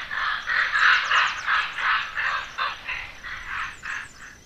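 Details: Young common ravens in the Côtes d'Armor give harsh, hoarse, throaty calls in a steady series of about three per second. The strong bursts fade slightly toward the end, with no other clear sounds.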